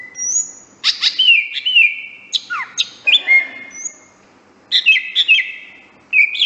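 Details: Greater green leafbird master song used for training birds: high clear whistles alternating with sharp crackling bursts and downslurred notes, in quick varied phrases separated by short gaps.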